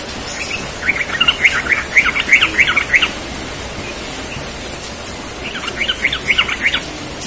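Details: Yellow-vented bulbul singing in the morning in a rapid 'ropel' style: two bursts of bubbly, jumbled warbled notes in quick succession, about two seconds each, separated by a quiet pause, over faint background hiss.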